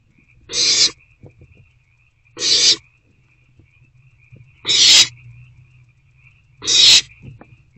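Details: Owls in a nest box on the evening of 21 April 2024, between 9:15 and 9:31 pm, as the parents keep bringing food: four harsh, broadband hissing screeches, each about a third of a second long, spaced roughly two seconds apart, over a faint steady hum.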